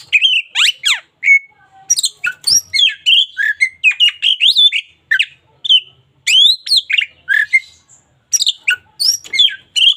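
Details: Varied, rich song of a local white-rumped shama kept for daily training of other birds: rapid run of clear whistles, steep up-and-down sweeps and sharp chips, almost continuous with short gaps.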